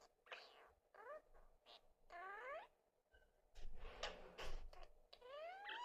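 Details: Lineolated parakeet kept as a talking pet blends its words, giving a cute ending: several sweeping whistled slurs and warbled speech-like bursts between quiet gaps, plus clattering knocks and indoor background noise.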